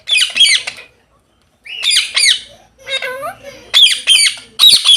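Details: Parrots playing in a field on an autumn afternoon: loud, high, harsh squawks in quick double and triple bursts, with a lower wavering chatter midway and brief silent gaps.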